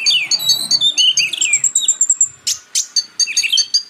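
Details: Purple-throated sunbird (kolibri ninja), in a recording paired with Oriental magpie-robin to tutor magpie-robins: descending slurred whistles and high buzzy twitters, then loud sharp chips, over a faint low murmur.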